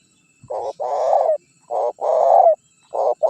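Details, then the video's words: Decoy spotted dove coos meant to lure wild birds and spark rival calls. Two full phrases, each a short note and a longer rich coo, followed by the start of a third, loud and close. "Suara Pikat Terkukur Gacor Juara 1 Untuk Pancingan Cepat Bunyi"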